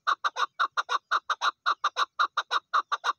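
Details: Calling female Chukar partridge gives loud, harsh chuk notes in a quick rhythm, often in paired or tripled bursts, repeated steadily.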